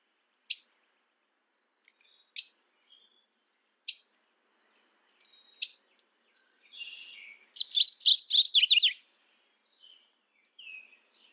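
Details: Mourning warbler giving a short burst of quick, rolling chirped notes after several sharp isolated clicks and faint scattered bird calls.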